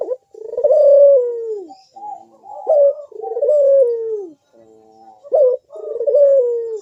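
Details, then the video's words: Ringneck dove cooing in the deep bekur style that invites other doves to call: loud, long descending coos alternating with short rolling notes, about three phrases. "Burung puter Rajanya bikin gacor‼️suara Bekur besar super tajam manggung merdu mengundang bunyi"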